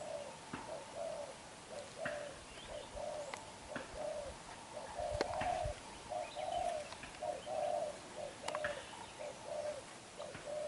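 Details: Young, black-eyed, newly caught spotted dove cooing vigorously: low, soft coos repeated about once a second against a steady background hiss and scattered clicks.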